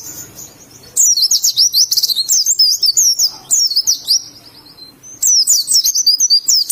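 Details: Oriental white-eye of Indonesia giving its wild forest song: two long bouts of dense, high-pitched twittering whistles, quick slurred notes tumbling up and down, separated by a brief pause.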